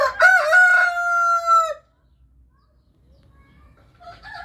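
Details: An Orpington or Marans rooster gives one loud crow, a few choppy notes that settle into a long, steady, nasal hold. After a pause, a second crow begins.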